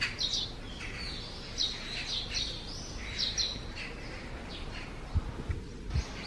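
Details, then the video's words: Eurasian tree sparrow leaving its nest under the eaves, cloudy morning, 4 June 2020: clusters of quick high twittering chirps, several in succession, then quieter, plus a few low knocks near the end over background rumble. "[참새]처마 아래 참새 집에서 나오다"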